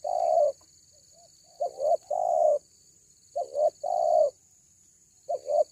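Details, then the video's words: A loud cuckoo, a local bird called kuku, heard in pairs of hooted notes: a short note, then a longer note that slides downward, repeated in irregular groups with quiet gaps; steady high hiss in the background. "SUARA BESAR KUKU"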